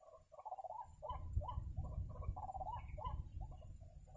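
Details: White-breasted waterhen recorded at a bird-trapping site, uttering throaty, cackling notes in a steady repeated series, some notes bending upward, over a continuous low background hum.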